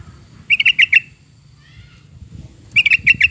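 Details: Bubbly yellow-vented bulbul phrases meant to draw song from a pet bird: two rapid bursts of about five liquid notes each, separated by a two-second pause, with faint background rumble.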